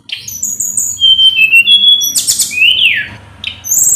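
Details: Full-power song of a hill blue flycatcher, meant to rouse a rival to respond: long level whistles, then a dense buzzy burst, then swooping slurred notes rising and falling, with a low background rumble.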